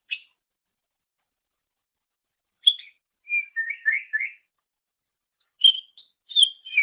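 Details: Greater green leafbird singing, recorded as training material for other songbirds: short whistled notes and a brief warbled run of descending chirps, separated by long silences.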